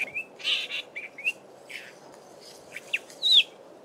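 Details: Male Southern fiscal from Belmont Valley, Eastern Cape, in a mimicry-rich song; sparse, softer phrase of thin whistles, a couple of rasping buzzes and a final clear slurred whistle, separated by short silences.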